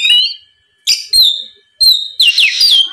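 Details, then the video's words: Short bursts of Oriental magpie-robin song, used to goad a rival: a clear whistled note, then buzzy rasping phrases and rising whistles after brief gaps. "MEMANCING KACER LAWAN AGAR LEKAS BUNYI NYAUT & GACOR, SUARA PIKAT BURUNG KACER GACOR NGEPLONG"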